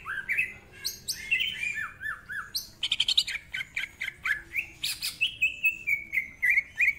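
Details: Greater green leafbird giving 'nembak rapet' rapid-fire song with 'isian' fills: a sequence of downward-slurred whistles, a brief fast rattle, then evenly repeated clear whistled notes roughly every half second.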